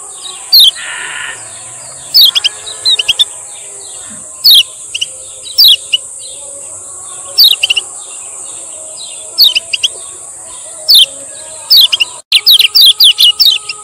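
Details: Male lemon-bellied white-eye from Lombok, 'ciak ciak' training and lure song: scattered short, high, slurred chirps in small clusters every second or two, ending in a quick run, over a constant high-pitched hiss.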